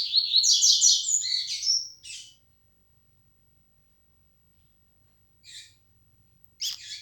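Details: Yellow-bellied seedeater singing in the flecha negra style: a fast two-second burst of high, rapid chattering trills and buzzy notes ending in a thin whistle, then silence and a few short chips.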